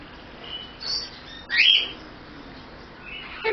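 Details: Pet male superb parrot imitating human speech, a few short squeaky syllables and a bright rising-falling whistled note, separated by quiet gaps.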